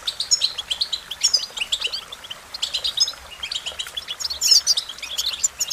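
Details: American goldfinch song, a rushing medley of high chirps, trills and squeaky whistles in clusters, dropping briefly near two seconds before resuming with a loud, glittering burst.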